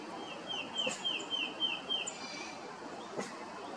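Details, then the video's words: A male black-crested titmouse gives his call right after getting a treat: a quick run of about five clear, slurred whistled notes, roughly four a second, over a soft background hiss. "Black Crested Titmouse call"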